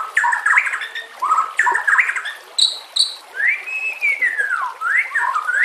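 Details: White-rumped shama training song with nature sounds and water: choppy whistled phrases, sharp high notes, then a long smooth arching whistle and rising slurs.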